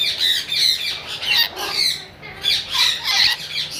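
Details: Lory parrot calling with a steady run of harsh, rasping squawks, each burst roughly half a second long and repeated without pause, high-pitched and loud.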